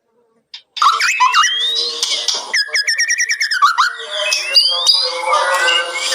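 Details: White-rumped shama singing loudly and vigorously, a full-filled song in the kretekan style: bright whistled notes and slurred glides, then a fast run of repeated sharp chip notes, followed by more rising whistles and rich warbling.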